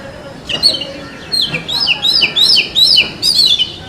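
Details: Oriental magpie-robin in forest habitat giving a rich whistled song: a brief opening note, then rapid sequences of clear downslurred and upslurred whistles, over a steady background hiss.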